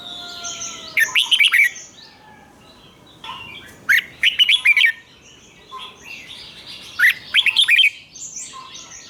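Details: Red-whiskered bulbul singing a doubled phrase, played for young birds to learn: three bursts of rapid, clear warbled notes roughly every three seconds, with fainter chirps and high background birds between them.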